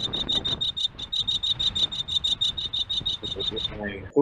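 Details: Turkestan Ground Jay, endemic to the Uzbekistan desert where Asian Houbara are studied, giving its alarm call, often heard before the bird is seen: a rapid, even run of high, sharp notes, about six or seven a second, then a brief voice.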